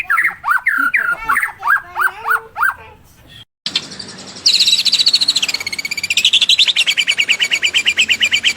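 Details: Song of a white-rumped shama: a run of sharp, falling whistled notes, a short pause, then a dense buzzy stream of rapid repeated notes.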